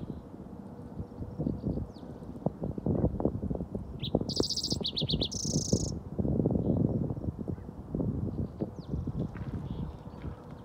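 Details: A green-tailed towhee calls on Mt. Galbraith, Jefferson County, Colorado: a brief cluster of high, bright notes about midway through, over a steady low rumble of wind.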